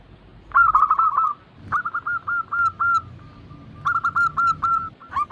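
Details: Group of zebra doves (perkutut) singing as a lure to prompt reluctant birds to sing: quick bursts of clipped, repeated coo notes at a steady pitch, one phrase ending in a longer drawn note, short silent gaps between phrases.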